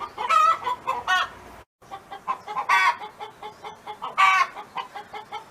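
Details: Neighbour's hen singing on a farm: quick harsh clucks and nasal squawks at first, a brief silent gap, then a run of soft clucks rising to one loud drawn-out squawk.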